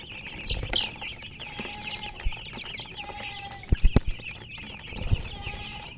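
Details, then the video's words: Chicken chirping: a dense chorus of high, quick overlapping peeps runs throughout, with a few sharp knocks and thumps near the middle and a low hum underneath. "silly chicken chirping sounds with murgi hen color chicken"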